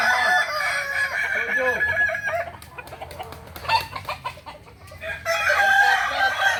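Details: Crowing contest of kukuak balenggek roosters, Ampang Kualo, Kota Solok, May 2024: layered, drawn-out crows fill the opening seconds, fade into a quieter, choppy stretch, then return as a strong bright chorus near the end, with low background rumble.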